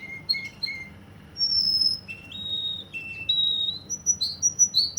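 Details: Russian canary from Kuwait in full song: paired short chirps, long level whistles stepping between pitches, then a series of rapid rising notes repeated in quick succession.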